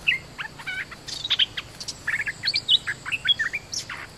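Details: Calls from a bulbul used as a decoy to draw in wild birds, which brought a local territorial bird diving at the cage. Rapid chattering chirps and short whistled slurs tumble over each other in lively clusters.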